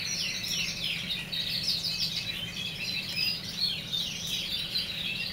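A German Crested Canary sings a continuous, high, rolling warble of quick trills and chirps, with a faint low hum behind it.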